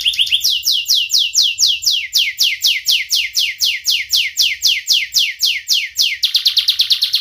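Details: Young canary with a sharp voice singing as a tutor lure for juvenile birds: a steady series of sweeping downslurred whistles, about three per second, ending in a quicker, lower trill.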